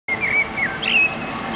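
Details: Male common blackbird singing at sunset near a pedestrian bridge over a railway in Oradea, establishing a territory; a few clear whistled phrases near the same pitch, a brief higher twitter at the end.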